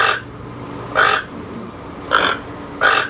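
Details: Four gruff, frog-like croaks from a toucan, separated by about a second of quiet, with a faint constant hum underneath.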